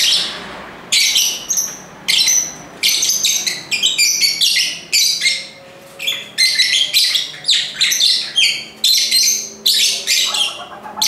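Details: Several lovebirds calling together in a lively chorus: dense, shrill, high-pitched chirps and squeaky twitters in rapid overlapping bursts, with brief pauses between bursts and no other clear sounds.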